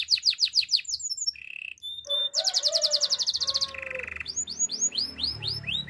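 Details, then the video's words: Training song of a Spanish timbrado canary: rapid high pulsed notes, a short low roll, a dense metallic trill of even beats, a steady buzz, then spaced swooping chirps. "Canary singing for training - Spanish timbrado song"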